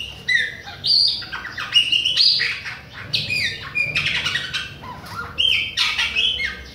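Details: A chopi blackbird (Gnorimopsar chopi) from Bahia sings nonstop at other birds, a loud, continuous run of clear whistles mixed with harsh squawky notes, phrases tumbling into one another without pause.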